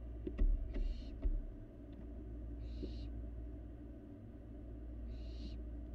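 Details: Barn owl fledgling eating alone in a nest box, Florida live cam; a few sharp knocks and scuffles at the start, then three softer hissing screeches spread over six seconds against low hum.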